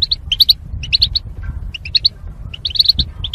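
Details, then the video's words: Goldfinch in a cage used for singing training, paired for mating: quick twittering chirps in tight groups of two to four notes, pausing between phrases, with a faint low hum behind. "Goldfinch Chirping Sounds to Stimulate Birds"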